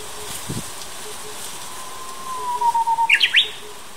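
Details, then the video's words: Japanese bush warbler at Ungok Wetland, South Korea, on 2 May 2016: a long, low, steady whistle slowly rising then falling, ending in a quick burst of about eight sharp, higher staccato notes; faint background hum. "운곡습지 섬휘파람새"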